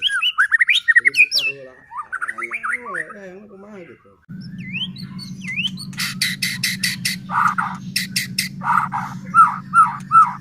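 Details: Persistent white-rumped shama song meant to stir other shamas into singing: fast rising whistles and warbled phrases, then buzzy harsh bursts and repeated short slurred notes over a steady low mechanical hum.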